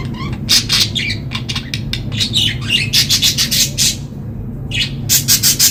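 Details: Happy budgerigars chirp in rapid, scratchy bursts of high twittering notes.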